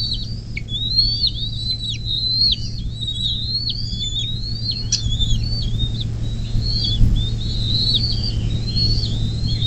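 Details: Bald eagle on its nest beside the Little Miami River near South Lebanon, Ohio, USA, 24 May 2024, 10:12. Continuous thin high whistles with quick downward kinks, chattering on and off, alongside a soft thump and a constant low hum.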